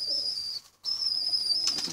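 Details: A pigeon chick's food-begging cry: a shrill, continuous high squeal, cut by one short silence, ending with a few scratchy clicks.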